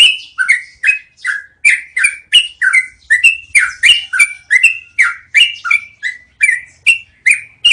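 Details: Yellow-vented bulbul delivering its long rolling song, used as training audio for cage birds: lively, clipped, warbling notes that alternate between higher and lower pitches, about three each second.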